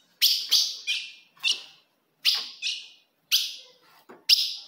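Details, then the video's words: Provocative female ultramarine grosbeak calls: clear, sharp downslurred chips given singly or in pairs at irregular intervals, with quiet gaps between. "se o seu azulão não segura fogo de fêmea Esse é o vídeo"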